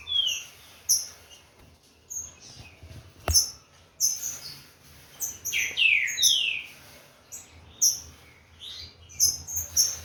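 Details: Captive Green-winged saltator, Corvo x Fogueira cross, warming up: sparse high chip notes through most of the stretch, broken by one cluster of bold downward-slurred whistles past the midpoint.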